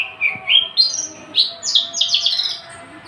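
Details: A tame, unringed male Horsfield's (Javan) bush lark sings a quick, varied run of high, sweet chirps and trills, rising and tumbling about four notes a second, with faint room hum behind.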